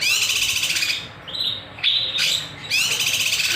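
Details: Master and lure recording of a kinoy in active song: loud dense trills alternate with brief quieter gaps and high thin whistles, then a fresh burst of rich trilling.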